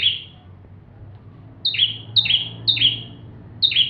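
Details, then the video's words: Bar-winged prinia singing vigorously in full song, suited as a training tutor for magpie-robins: high two-part notes, a thin whistle dropping into a short buzzy slur, given about five times with pauses. "Burung ciblek tamu fulll gacor cocok untuk masteran murai batu"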